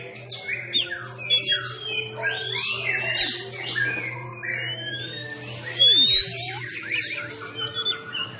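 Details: Sumatran Oriental magpie-robin kept at home, training its fighting-style song during the COVID-19 stay-at-home period in Indonesia: dense, varied whistles, rising slurs and chattering notes, with a steady low hum and faint background music.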